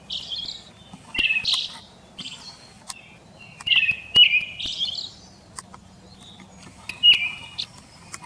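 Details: Brown-headed thrush calling, taken from a field guide recording, repeating short, high, thin whistled phrases, each a sharp rising tick sliding into a steady whistle, with clicks and a soft low hum behind.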